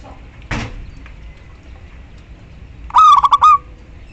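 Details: Local female zebra dove calling a male; a sharp broad knock or bump early, then one rapid pulsed cooing phrase near the end, over low hiss.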